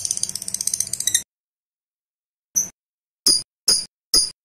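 A lovebird gives a second of rapid, rattling chatter, then after a pause four sharp, shrill chirps about half a second apart.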